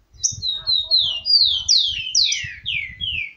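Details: Tico-tico (rufous-collared sparrow) from a bird breeder, a fired-up male with females: a rapid series of clear, high whistled notes, each slurring downward, running about three seconds at steady loudness, with faint low thumps underneath.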